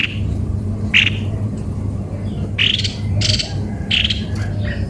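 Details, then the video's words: Rough squawking notes from a cucak kopi-kopi: one burst, a pause, then three harsh calls in close succession, set against a steady low hum. The bird is described as sounding strange. "begini suara burung Cucak kopi - kopi"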